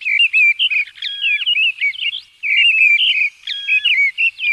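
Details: A mistle thrush, recorded in 2020, sings two loud, fluty phrases of varied whistled notes, each about two seconds long with a brief pause between, against a quiet background.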